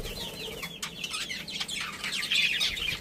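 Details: Budgerigar breeding pair and family chattering at low volume, with continuous fast, scratchy high twitters and short squeaky notes running together, and a few faint clicks.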